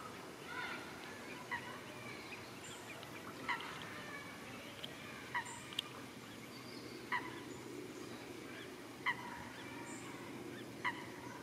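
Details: Grebe family in a Netherlands park, with chicks riding on the mother's back while the father feeds them. Short, piping, harmonic calls repeat roughly every one and a half to two seconds above a steady outdoor rumble.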